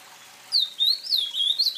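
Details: Ultramarine grosbeak, known in Brazil as azulão, sings a short run of clear, slurred whistles that rise and fall, starting after half a second of quiet; no other sounds stand out.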